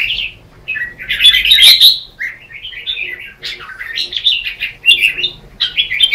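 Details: Red-whiskered bulbuls singing against each other in the morning, as lure song for training birds: continuous warbling chatter of rising and falling whistled notes, loudest around the middle, with voices overlapping.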